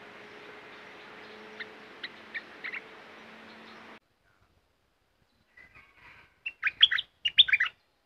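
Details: Caged red-whiskered bulbul delivering a burst of fluty, warbled notes after a stretch of hissing background noise with a few faint chirps; the song closes in two dense, rising and falling clusters.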